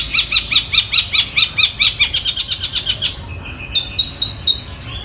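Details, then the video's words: Imitative song of a long-tailed shrike copying a tree sparrow and a tiger shrike: a fast series of clipped high chirps, then a short pause and a thin whistle followed by quick chips. "Cendet Gacor suara Gereja Tarung dan Tengkek Buto"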